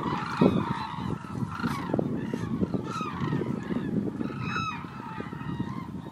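Hooded cranes trumpet in loud, overlapping bugling calls, several birds calling at once, over a steady low rumble of wind.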